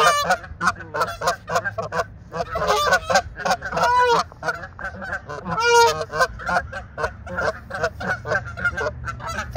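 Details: Two Canada goose ganders fighting on March 17, 2023: continuous loud, raucous honking, overlapping blaring calls with a couple of drawn-out, tonal squealing honks standing out.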